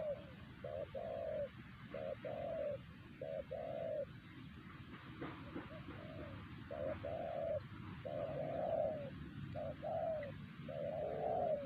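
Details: Wild spotted dove at Siosar whose strong voice made other doves stop answering, targeted by bird trappers; repeated short-long coo pairs, low and mellow, briefly interrupted by a rustle, then resuming.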